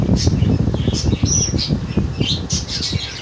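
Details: Baby budgerigars bred in 2022: short, harsh squawks and chirps, several per second, over a loud low rumble of handling or room noise.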